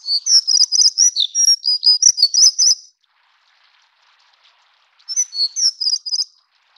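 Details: Taiwan-endemic plumbeous redstart, subspecies affinis, singing in two bursts: almost three seconds of thin, rapid, scratchy twittering, a two-second silence, then a shorter matching burst of high chattering notes.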